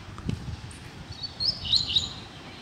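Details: Loose wild double-collared seedeater in a neighbourhood delivering a short run of high, sharp chipping and slurred notes after a soft thump, with low background rumble.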